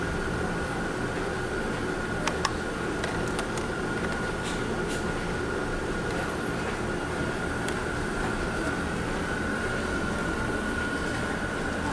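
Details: A steady mechanical hum like a train or air conditioner, with a few faint clicks and no animal voices. A constant low drone fills the background throughout.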